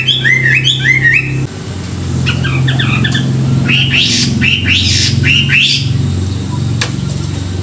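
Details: A Chinese hwamei in the morning gives short, rising, slightly harsh whistled phrases in quick bursts over a steady low mechanical hum, likely a wild-caught bird in training; finding: Chinese hwamei.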